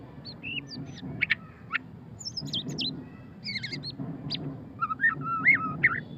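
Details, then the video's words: White-rumped shama, murai batu pastol, giving ngeriwik song: short whistled notes, downward slurs and a few sharp clicks in uneven bursts, ending with a quick run of rising and falling whistles; low hum underneath. "suara kicauan burung murai batu pastol ngeriwik - white-rumped shama"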